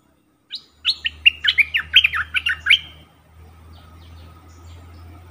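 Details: Decoy Stripe-throated Bulbul, caged and in full plumage, used in forest to attract wild birds: one brisk burst of around a dozen bright, gurgling notes lasting two seconds, then a steady low rumble.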